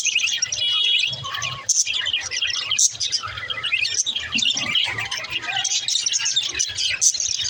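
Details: Parakeets, pet budgies, in a dense, continuous warbling chorus of high chirps, squeaks and trills, with a brief quiet gap near the start and no other clear sounds.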